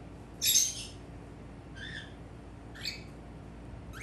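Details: Male normal-grey cockatiel kept as a pet, calling in front of a mirror: one loud harsh squawk, then two softer rising chirps and a last faint note, with quiet room hum between.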